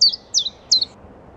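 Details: A common chiffchaff sings in spring, late April to early May 2022, at Baie d'Audierne, Brittany, France: three sharp, high, down-slurred notes about a third of a second apart, starting its steady chiff-chaff song, in quiet surroundings.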